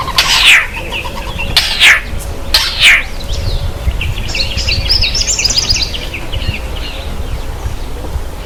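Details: A white-bellied sunbird taking a bath gives three sharp, downslurred chips about a second apart, then a thin, high twittering, with splashy water sounds throughout.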